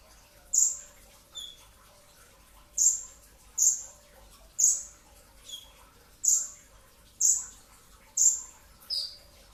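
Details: Dense brown-throated sunbird 'tembakan' shots during sahur before dawn: about eleven very high, piercing notes, with a few softer lower chips mixed in, roughly one per second.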